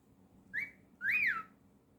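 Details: Cockatiel kept as a pet whistles a short rising note followed by a longer, smooth arched whistle that rises and then falls away, in a quiet room.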